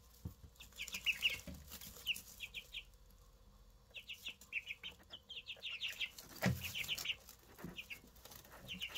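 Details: Three just-hatched Easter Egger chicks give sharp, high, down-slurred peeps in bursts of three or four, separated by short pauses, with a soft bump near the end.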